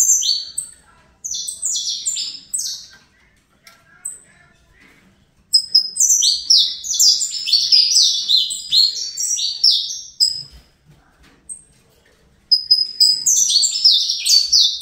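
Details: Young captive-bred Saffron finch of the Fibra line: long bursts of dense, shrill descending chirps and trilled notes, with quiet gaps of scattered soft chips between phrases.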